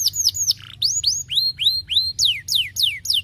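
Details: Canary singing, meant to spur lazy canaries into song: a series of loud whistled notes, some rising in arcs and others sliding steeply down, repeated roughly every third of a second, with one brief lower buzzy note.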